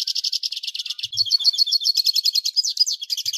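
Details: Hooded siskin (Carduelis magellanicus) giving a fast high-pitched twittering song, a steady rattle of chirps breaking into quicker, varied warbled notes.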